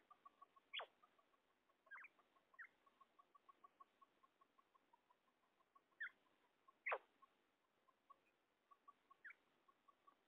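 A female common quail gives a soft, steady series of low piping notes, several each second, broken by a few sharper, louder clicks and chirps.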